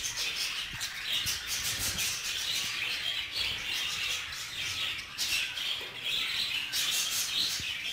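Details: A jealous male budgerigar with a female, in a shared group setting: rapid high chirps and warbles from several birds, pausing briefly around the fifth second before resuming.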